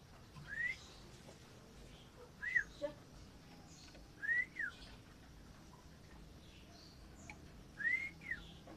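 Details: A captive male and female common iora being paired for breeding give clear, rising whistled phrases about every two seconds, each followed by a brief downslurred note, over a steady low background hum.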